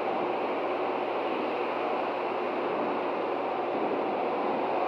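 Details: A steady mechanical hiss, like an air conditioner or distant machinery, runs unbroken with no animal sounds heard.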